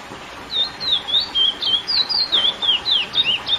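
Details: Classic song of the curió, or lesser seed finch, aimed at exciting females: a steady stream of bright whistled notes, each a quick down-and-up slur, about four per second throughout.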